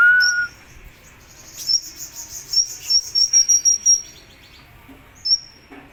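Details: A kolibri ninja from Indonesia in full contest-ready song: a short lower whistle, then a string of very high, thin, repeated notes pulsing about twice a second, ending with one more high whistle.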